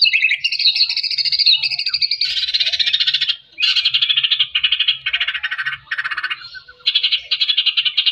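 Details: Energetic song of a white-rumped shama, used to rouse shamas that are lazy about singing and lack fighting spirit: rapid, harsh chattering trills in back-to-back blocks of shifting pitch, broken by a few short gaps.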